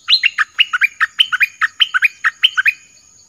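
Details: Orange-headed thrush singing, a recording used to attract wild birds and train young ones: rapid clear chirped notes in quick pairs, about fourteen in three seconds, with a thin steady high tone behind.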